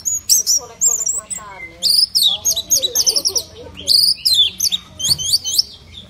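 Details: Orange-headed thrush, apparently a caged bird, singing a loud varied song of rapid high trills, whistles and buzzy mimic-like phrases in short bursts, interspersed with lower chattering notes.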